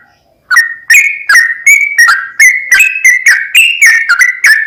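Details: Sooty-headed bulbul song played as a lure to provoke another bird into singing: after a brief quiet start, a loud, lively run of clear whistled notes with buzzy overtones, roughly three per second, held at a steady mid pitch.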